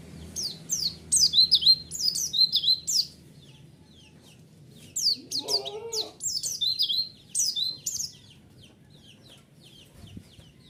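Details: White-eye lure song played to provoke other white-eyes to respond: bursts of rapid, high, chirpy twittering notes, each burst lasting a few seconds and separated by pauses, with a brief lower call in the middle and a faint low hum underneath.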